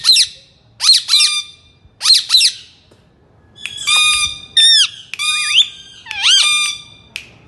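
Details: Talking ringneck parrot from India gives short harsh harmonic squawks in paired bursts, then a run of longer, rising and falling nasal calls, with brief quiet gaps between them.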